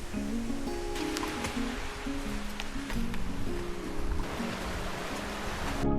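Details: Steady instrumental music with sustained tones over a soft wash of surf-like noise; no animal calls stand out.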